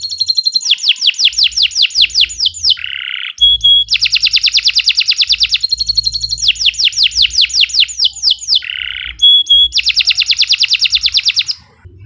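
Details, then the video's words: Long canary song, intended as a master for teaching other birds: alternating fast rattling trills and fast-repeated phrases, brief lower buzzy notes and a pure high whistle, the pattern returning after about six seconds. "Kicau Burung Kenari 107 II GACOR PANJANG Cocok untuk Masteran"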